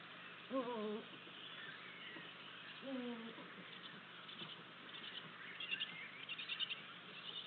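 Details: Estonian Eurasian eagle-owls at a nest on 8 April 2023, the male delivering a vole to the female. Two short, low, harmonic calls that drop in pitch, about two seconds apart, over steady hiss and faint distant birdsong.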